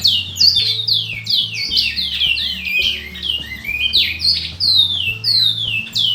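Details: Large-billed Seed-Finch (Bicudo) singing as a possible champion bird: rapid series of loud, clear whistled notes, each sliding downward, delivered almost continuously over low, steady background tones.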